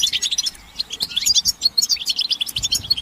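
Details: Group calling of European goldfinches, meant to stimulate males to sing and break their silence, with mating and readiness calls: dense, tinkling high twittering from several birds, continuous and overlapping.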